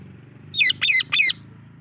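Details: Yellow rose-ringed parakeet, a ringneck parrot kept as a pet, gives three loud harsh squawks in quick succession, each about a fifth of a second long, over a low background hum.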